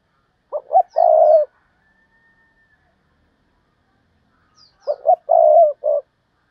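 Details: Spotted dove decoy giving 'thúc bổi' calls to draw in wild doves: two phrases of clipped introductory notes followed by a mellow, throaty coo, with faint high chirps from another bird above them.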